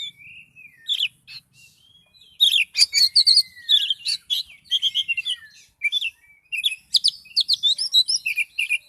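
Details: Oriental magpie-robin, highly agitated, delivering 'kicau door' song: a soft slurred whistle, then dense rapid strings of high staccato chips and scratchy trills, repeated many times in fast succession.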